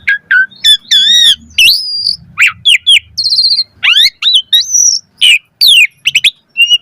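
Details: Asian pied starling in the pumping-variation style, used as a master recording to coax caged birds to sing. Jerky mix of rising whistles, harsh bursts and buzzy notes, delivered in quick, uneven bursts.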